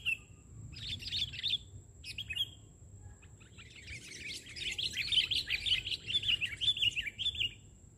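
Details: Sooty-headed bulbul singing eagerly from the ground during a bird-luring session; a few separate bright phrases, a pause, then a long rolling chatter of tumbling, descending notes over faint rumble.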